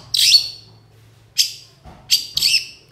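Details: Long-tailed shrike (cendet) singing in 'gacor dor konslet' style for songbird training: four scratchy, hoarse bursts separated by short silences, the first longest, over a faint low hum.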